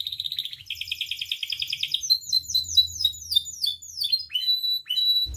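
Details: Canary kept in captivity, its song used to train and stir up other canaries: a rapid rolling trill followed by bursts of downward-slurred chirps and a sustained whistled note, with faint low rumble beneath.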